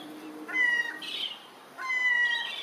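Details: Herring gull recorded on 8 July 2018, giving two loud, harmonic, drawn-out cries about a second apart, each slightly falling, with a brief rough squawk between them.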